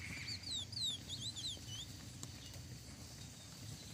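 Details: Lesser seed finch singing against a brown-plumaged rival: a quick burst of clear whistled, downward-slurring notes in the first two seconds, then only steady low background hum.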